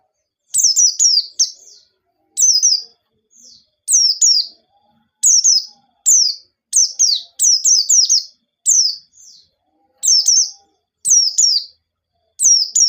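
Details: Sustained white-eye song in an energetic forest style with sharp notes, meant to coax untrained birds into song: high, thin down-slurred chirps in pairs and triplets repeated regularly, with faint low hum in places.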